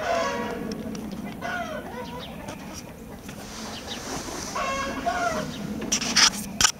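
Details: Red Blue Wyandotte chickens, 2020 stock, with harsh harmonic crows and calls rising out of a constant low hum, a few overlapping calls in the first half and another near five seconds, ending in sharp clicking knocks.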